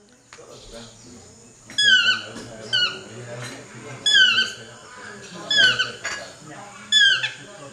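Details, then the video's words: Chestnut-mandibled toucan calling: five loud, downslurred yelps, some doubled, spaced about a second apart, each a bright harmonic whine sliding down in pitch, over a steady low hum and faint background sounds. "Chestnut mandibled Toucan."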